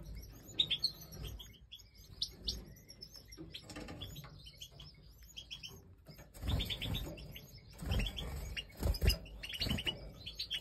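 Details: European goldfinch chicks being fed during breeding time, likely major goldfinch type; bursts of thin, high chirps in rapid clusters, louder and busier from about six seconds on, over a low background rumble.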